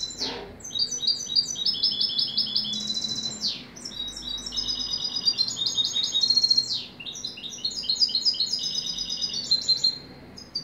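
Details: European goldfinch singing: a fast, tinkling run of bright twittering notes and buzzy trills that jump between pitches, delivered in long unbroken phrases with brief dips, over a faint low hum.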